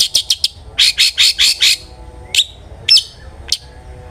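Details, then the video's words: Long-tailed shrike song used as a lure to make other shrikes sing: a fast stuttering run of scratchy notes, then five harsh rasps in quick succession, followed by three sharp, separate chipping calls. "suara burung CENDET GACOR ampuh pancingan CENDET AGAR BUNYI"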